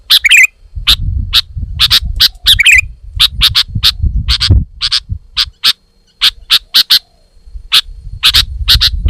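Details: Vigorous sooty-headed bulbul, described as female, opens with squeaky scratchy notes, then delivers long series of sharp single and paired chips at an uneven pace, over intermittent low rumbling.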